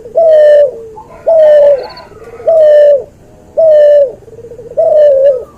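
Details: Cuhu dove, a hybrid of a white albino puter and a puter pelung, recorded as a training song: five long, level, hollow coos, each with a short lower tail, about one every 1.2 seconds.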